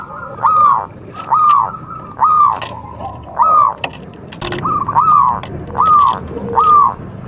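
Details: Zebra dove of a local contest strain singing to spur other birds into song, with soft arched cooing notes spaced roughly every three-quarters of a second over faint background noise.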